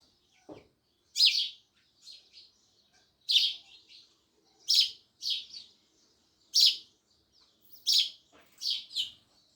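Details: Sparrows chirping loudly: sharp, bright chirps in pairs and short bursts, roughly every second or two, with softer chips between them and a brief low sound at the start.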